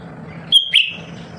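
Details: A single phrase from a home-kept lesser green leafbird, known as a nonstop singer that makes other birds sing: a clean high whistle, a brief pause, then a louder buzzy note sliding downward, over low hum.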